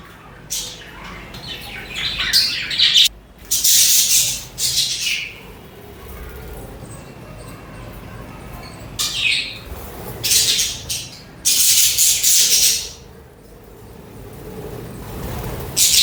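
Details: Pet budgerigars chirp in bright, scratchy bursts of high chatter with short pauses between.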